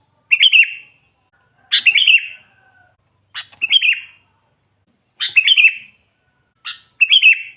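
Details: Sooty-headed bulbul song for luring wild bulbuls: five bubbly, slurred warbled phrases about every one and a half seconds, each opened by a short sharp note, with a steady faint high hiss behind.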